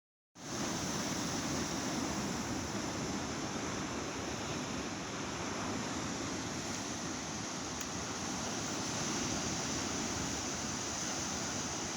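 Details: Steady, broad rushing noise like surf or falling water fills the whole stretch, with no animal calls standing out.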